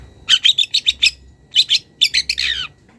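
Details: Young wild long-tailed shrike calling a rival as it begins to bring out mimicked phrases. Bursts of five rapid harsh chattering notes, a pause, then two more clusters ending in a descending scratchy trill, over a faint low hum.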